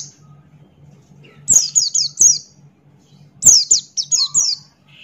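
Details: Male Buxton's white-eye, a caged songbird, singing loudly with open bill: two bursts of four to five high, thin descending whistled notes in quick succession, separated by a pause, over a faint low hum.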